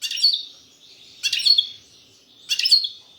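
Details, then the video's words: European goldfinch in a кокил песса song style: three short bright twittering bursts, each a cluster of high chirps with a quick downslurred note, about a second and a quarter apart, with quiet gaps between. "Щегол пение кокил песса"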